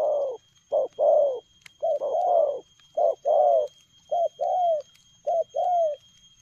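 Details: A spotted dove delivers fast coo phrases in the lèo gù playing style. Each phrase is a short hoot followed by a longer, slightly falling coo, repeated about once a second against a quiet background.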